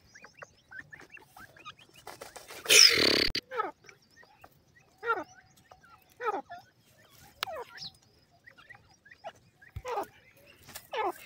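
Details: Francolin (teetar) calls: a series of sharp, harsh, downward-slurred notes repeated about every second, with one loud noisy burst early on and faint chirps in between.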